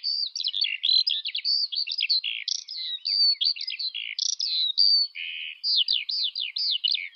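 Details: Eurasian skylark pouring out high, liquid warbling song in rapid chirped and whistled phrases, some slurred downward, a few buzzy notes, continuous throughout without background noise.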